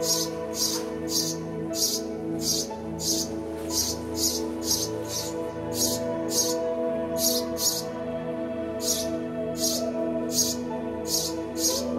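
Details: Music only: sustained tones with a steady, hissing high beat and no animal voice.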